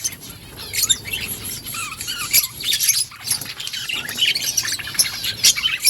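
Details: Parakeet chatter from budgerigars: overlapping chirps, rising whistles and scratchy warbles over a faint steady background hiss.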